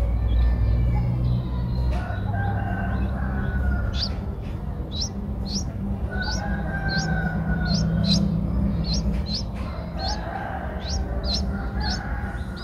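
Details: Eight-day-old Streak-eared bulbul nestlings recorded 10 April 2023 in Ubon Ratchathani, Thailand, give a quickening run of short, high, rising squeaks in the second half, while a rooster crows in the background against steady low noise.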